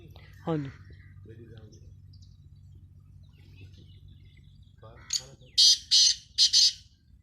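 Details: Black francolin giving a harsh, rasping call series near the end: four or five loud buzzy bursts in quick succession. Before it come scattered faint chirps and squeaks over a low steady background hum.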